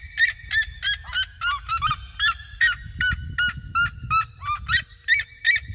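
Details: Seriema flock (red-legged) sings around someone crossing local fields. Loud barking yelps repeat roughly three per second, two or more birds interleaving, over a continuous low rumbling noise.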